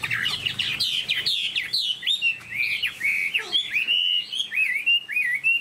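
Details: Tame cage-kept Chinese hwamei singing loud, sweeping whistles and slurred warbles, some notes dipping sharply then rising, in a fluid, nearly unbroken phrase.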